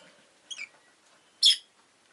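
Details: Two shrill chirps from a rosy-faced lovebird, a thin descending note followed a second later by a louder, harsher squeak.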